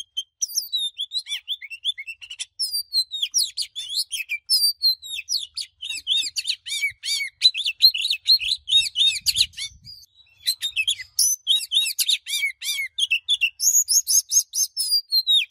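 An Oriental magpie-robin sings a rich, varied stream of sweet whistles and scratchy chirps.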